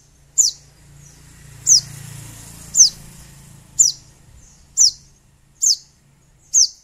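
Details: Sogon (little spiderhunter) heard as a lure meant to anger a rival into singing. Seven piercing, high, downward-slurred chips come about once a second, with a soft low hum in the background.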